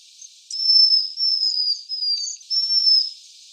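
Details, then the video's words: Waxwing producing a near-continuous run of high, thin, slightly wavering trilled whistles, broken briefly once, over soft hiss. "Свиристель. Голоса птиц"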